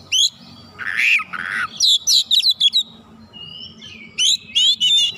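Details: Energetic oriental magpie-robin lure song showing off its varied fill-in phrases: sharp high whistles, two harsh raspy bursts, a fast run of clipped chirps, a drawn whistle, then more rapid notes over low rumble.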